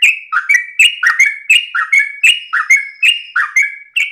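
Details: Early-morning Sooty-headed bulbul in continuous 'ropel' song style, delivering loud, brisk two-part whistled phrases, a dip then a higher ringing note, over and over at a quick, slightly uneven pace.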